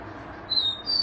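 A rufous-collared sparrow gives two clear, high whistled notes, the second slightly higher, over a soft background hiss.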